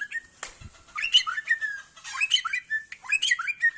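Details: White-rumped shama of the Aceh type singing loudly and close: rich, varied whistled phrases broken by quick slurred notes and sharp chips, delivered in dense bursts with short pauses and a quiet background.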